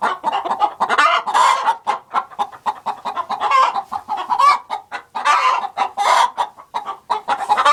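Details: In a productive hen house, many hens cluck at once: rapid, choppy notes run without pause, and longer raspy squawks rise out of the chatter every second or two.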